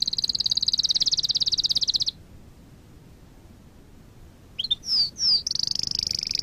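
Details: Canary singing as a lesson for training canaries: a high buzzy rapid trill for two seconds, a pause, then a few sharp descending whistles and another high fast trill.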